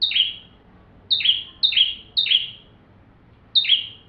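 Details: Bar-winged prinia song, full and vigorous, suited for tutoring magpie-robins: five loud high whistled notes, each breaking into a falling buzz, separated by short silences.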